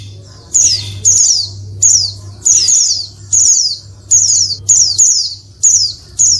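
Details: Oriental white-eye female calls used to stimulate lazy or caged males to answer and sing: bright, high, downward-sliding chirps in quick succession, roughly one to two per second, over a steady low hum.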